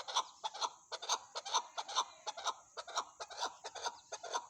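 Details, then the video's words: Chukar partridge calling: a rapid run of harsh, clucking chuck notes, roughly two per second, uneven in spacing and loudness, with no other clear sounds. "chakor ki awaz"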